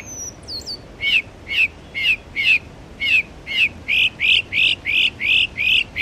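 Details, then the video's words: Northern mockingbird mimicking other birds at Belle Isle Marsh Reservation, East Boston, Massachusetts. After a brief thin high whistle come loud squeaky chirps, repeated about every half second and speeding up toward the end. "Northern Mockingbird bird songs"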